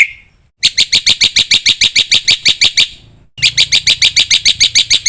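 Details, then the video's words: Black-winged myna training song full of fill-ins: a brief whistle, then long runs of loud, shrill chirps repeated about four times a second, in two bursts. "suara masteran jalak putih full isian"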